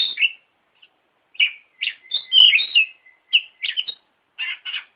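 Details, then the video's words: Oriental magpie-robin song played as a lure recording for caged birds, meant to provoke a reply: quick varied whistled and chattering phrases around mid-high pitch, separated by short pauses, with one buzzy rising note in the middle. "Suara Burung Kacer Masteran Variasi Pancingan Pasti Nyaut"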